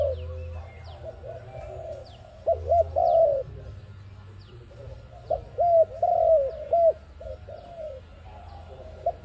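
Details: ARIMIX dove cooing for a trapping lure. Two clear phrases of brief coos and a drawn-out coo, separated by a quieter stretch of soft coos, faint high chirps of other birds, constant low hum.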